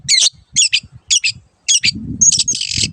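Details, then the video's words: Long-tailed shrike song for tutoring caged birds: evenly spaced doubled harsh chirps, then a sharp whistle and a buzzy rasping trill, with low rumble at the end. "MASTERAN BURUNG CENDET SANGAT COCOK BUAT CENDET MACET BUNYI ATAU PINDAH JURAGAN"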